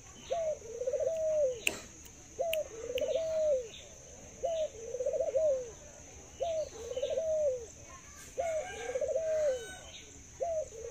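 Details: Low coos from a caged Thai dove kept as a pet, repeated about thirty times a minute. Each is a clipped rising note, then a warbling laugh-like trill that fades downward. A few sharp clicks and faint bird chirps are heard.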